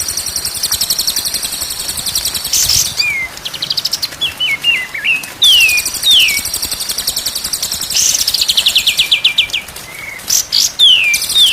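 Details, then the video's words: White-rumped shama song used to train birds to sing: rapid high rattling trills alternate with clear, slurred descending whistles and short zigzag phrases, in varied bursts over about eleven seconds. "MASTERAN MURAI BATU SIANG dan MALAM DI JAMIN BURUNG JADI GAGOR"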